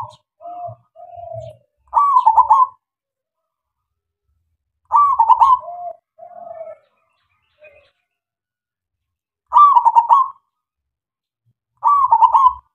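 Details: Loud, clear song of a local zebra dove meant to draw silent doves into answering: four quick trilled coo phrases spaced a few seconds apart, mixed with short soft lower coos, otherwise quiet.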